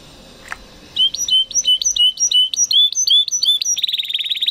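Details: Training song from a 2020-bred Spanish Timbrado canary: after a brief quiet start, evenly repeated two-note whistled phrases give way to a rapid, buzzy rattling trill.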